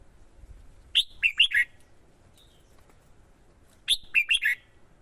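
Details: Singing competitively after being stimulated by a female, a male red-whiskered bulbul kept as a lure for wild birds delivers two identical crisp phrases of four to five tumbling whistled notes, nearly three seconds apart, with quiet between.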